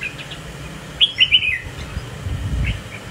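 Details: A caged, spiky-crested Red-whiskered Bulbul swaying in display after joining a competition group. One bright phrase of about four rapid whistled notes stands out, with low background rumble.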